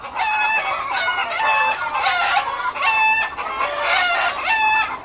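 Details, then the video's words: Loud chorus of many chickens in a coop: steady overlapping clucks and harsh squawks, with clear harmonic cries recurring about every second over continuous flock chatter. "मुर्गे की आवाज़ Loud sounds of chickens in a chicken coop."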